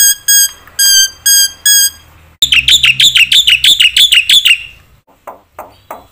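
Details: Black-winged myna song, used to provoke other mynas: four steady, ringing whistled notes, then a fast loud burst of chirping notes that ends in faint, spaced clicks.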